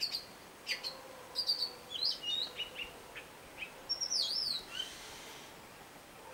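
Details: Robin, a skilled mimic, in another tune: scattered short chirps and quick slurred whistles, a high arching phrase around four seconds, softer and more spaced than a full song.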